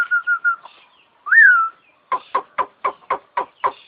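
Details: Starling imitating an ambulance siren: a few level whistles, one loud rising-falling swoop, then a steady series of eight sharp harsh notes about four per second.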